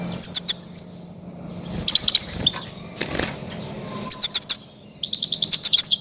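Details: Loud goldfinch calls played to lure and trap grey-headed goldfinches: four quick bursts of sharp, high, liquid twittering notes, each burst lasting under a second, with a faint thump between them.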